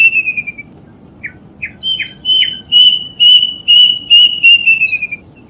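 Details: A plaintive cuckoo sings for kept birds to learn from: a few short rising notes build into loud, level whistles repeated about twice a second, ending in a downward slur, over a faint low hum.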